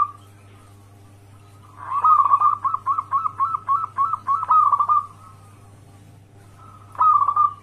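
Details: Local wild zebra dove calling, used to draw answering doves into a trap: after a brief trill, one run of about ten quick, bouncy cooing notes, then quiet and a final short trill, over a faint low hum.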